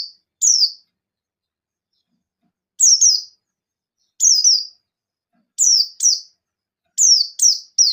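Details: Buxton's white-eye, a perched bird singing loudly to call rivals and provoke other white-eyes into singing: high, thin descending whistled notes in short bursts of one to three, separated by pauses of one to two seconds, no other sounds.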